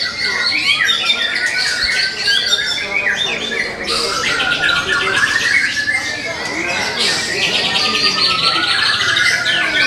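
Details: Young wild-caught White-rumped shama, kept in a cage, sings nonstop: layered chattering trills, sharp whistles and mimicked-sounding phrases; faint talk in the background.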